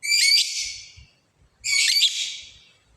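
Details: Two loud, harsh lovebird screeches, each about a second long and fading toward its end, separated by a short silence.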